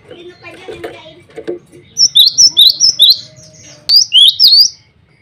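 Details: Male cinereous tit singing actively, calling rivals and calling females: after some low knocks and rustles, a burst of five high, bright two-part whistled notes, then a shorter burst of three.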